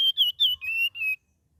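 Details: Young sooty-headed bulbul practising a varied song, giving a quick string of high, clear, nearly level whistled notes, the last ones slightly lower and longer.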